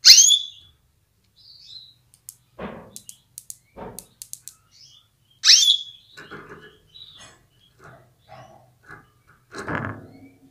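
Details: Female canary calling to stimulate males into readiness and strong singing: two sharp, high calls sweeping down into a short level whistle, several seconds apart, with soft clicks and cage knocks between.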